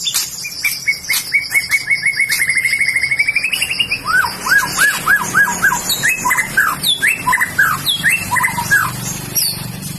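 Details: White-rumped shama with fighting mentality, ready to be entered in song contests: a quick series of rising notes that speeds into a buzzy roll, then loud repeated down-slurred whistles in rhythmic runs.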